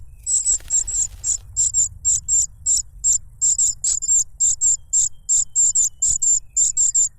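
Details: Cuckoo chick grabbing food noisily from a foster parent that offers a butterfly; steady high-pitched, hissy begging notes, often paired, over a low background rumble.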